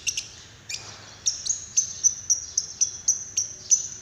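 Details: Lovebird prompting call to encourage another bird to sing: a few harsh notes, then a steady series of thin, very high chirps, about four per second, evenly spaced.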